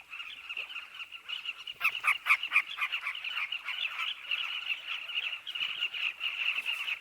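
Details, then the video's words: At a Southern carmine bee-eater breeding colony, a busy mass of trilled, burry chirps, with a burst of four loud, abrupt calls from nearby birds about two seconds in and more scattered close calls later. "The sounds of Carmine bee eaters at nest"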